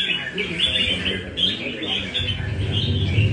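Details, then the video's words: Nam Đông red-whiskered bulbul at café practice in Đà Nẵng sings a run of clear, bouncy whistled phrases, with a low café hum and faint talk underneath. "Cb Nam Đông Test nhẹ cafe-Chào mào cafe"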